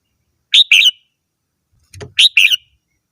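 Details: Two brisk warbling phrases from a red-whiskered bulbul, each of two or three sharp chirpy notes, split by a brief low thump just before the second phrase.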